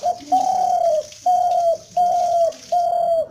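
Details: Spotted dove calling: four steady, mid-pitched, flat coos, each roughly half a second long, separated by short pauses, with a faint hiss behind.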